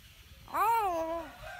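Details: A hill myna, one of a pair being matched and able to mimic human speech, gives one drawn-out, voice-like word that rises then falls in pitch, under a second long, against a quiet room background.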